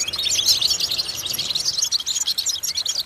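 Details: Goldfinch vocal-training song meant to stimulate other goldfinches: a bright, high, rapid jumble of twittering notes and buzzy trills, loud and continuous throughout the short stretch.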